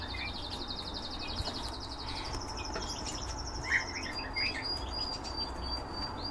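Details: A breeding canary opens with a quick, buzzy rolling trill for about two seconds, then shifts to a long, level high whistle that steps slightly lower. Scattered short chirps and a soft low hum run underneath.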